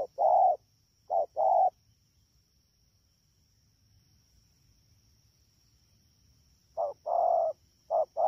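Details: Wild-caught spotted dove, Dak To, 3/10/2019: a couple of quick coo pairs at the start, a long quiet gap, then more short-and-long coo couplets at the end, faint steady hum throughout.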